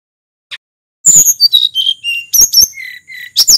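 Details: Sulingan, a local wild bird from Mount Merapi, singing as a lure for other birds: after a faint tick comes a quick run of high, clear whistled notes stepping downward and varying in pitch, with sharp chips between them.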